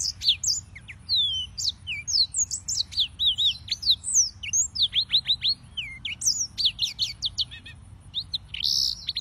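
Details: Yellow-fronted canary (Serinus mozambicus) singing: a rapid, continuous stream of high, sweet whistled notes and slurred chirps, some rising and some falling, delivered in quick bursts with almost no pauses between phrases.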